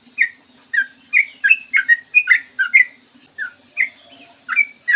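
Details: Yellow-vented bulbul (trucukan) in morning song, recorded to lure other birds into singing. Short bubbly whistled phrases come in groups separated by brief gaps, with rising and falling slurs. A soft low hum runs throughout.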